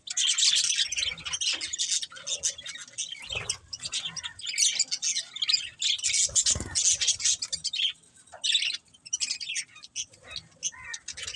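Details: Budgerigars keep up continuous, uneven chirping and squawky chatter, loud at the start and more broken later, with soft low knocks in the background.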